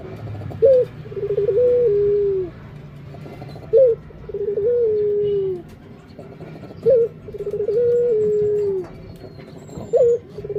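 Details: Steady Barbary dove cooing, four phrases about three seconds apart, each a clipped higher note followed by a stepped, gradually falling coo, against a quiet indoor background.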